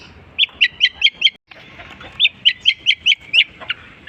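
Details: Long-tailed shrike mimicking other birds: two bursts of five or six ringing, up-flicked chirps each, separated by a brief silence, ending with a lone drooping note.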